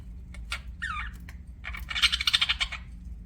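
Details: Pet budgerigars chirping: a short curving warble, then a dense run of rapid buzzy chirps, with a low hum underneath.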